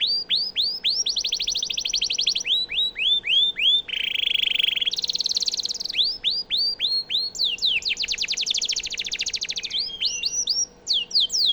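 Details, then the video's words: Song of a canary meant for tutoring White-rumped shamas: loud series of steep downslurred chips alternating with dense buzzy trills and a harsh rasping burst, repeated in quick varied bouts. "Suara burung kenari cocok untuk masteran murai batu"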